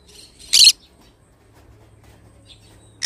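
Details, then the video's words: A pet pineapple conure (a green-cheeked conure colour form) gives two short, harsh, high screeches about two and a half seconds apart, with a faint low hum between them. "pineapple conure sound"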